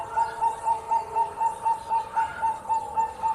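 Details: Bangkok-type zebra dove in full song, a bird valued for drawing rivals into answering. Short mellow coos repeat at a steady rate of about four a second over a constant background hiss.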